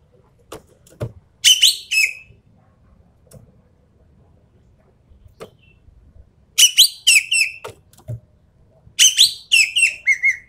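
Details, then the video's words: Sumatran treepie, an endemic Sumatran bird, used as a tutor and lure recording. Three bursts of harsh, grating, downslurred notes in quick rattling series, separated by quiet gaps with faint clicks and low rumble. "MASTERAN/PANCINGAN BURUNG EKEK KELING SUMATERA"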